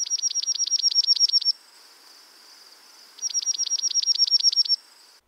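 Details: Dark-eyed Junco, a winter backyard bird of eastern North America, singing its musical, slightly fluttering trill: two fast, even trills of high, dry notes, about a dozen each, roughly a second and a half, with a pause between.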